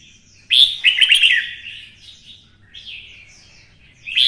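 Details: Red-whiskered bulbul, a kept songbird stimulated to sing for fighting in the 'giọng xoắn' (twisting voice) style: a loud burst of quick warbled, fluttering notes, followed by softer, shorter phrases.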